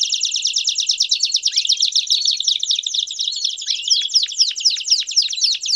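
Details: Canary singing campainha song with piados, aimed at training young canaries: dense rapid trilled rolls with two rising whistles cutting through, continuous throughout.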